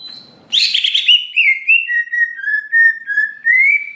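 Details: Provoking song of a greater green leafbird: after a faint murmur, a sudden harsh note leads into sweet, steady whistles sliding gently lower, finishing with a rising whistle.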